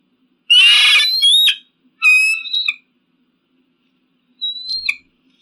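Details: Eagle calling, meant to scare off pigeons and crows: a harsh, noisy scream opens, followed by a ringing harmonic whistle and a short, thin high note after a pause, with silence between calls.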